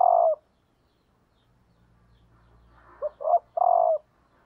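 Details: Decoy hen spotted dove cooing to draw males. The long final note of one phrase is heard, then after a pause a full three-part coo: two short rising notes and a prolonged hollow note.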